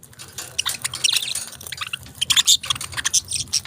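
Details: Budgies chirping, a busy chatter of quick high twittering notes and short squeaks, overlapping and irregular, with no other clear sounds.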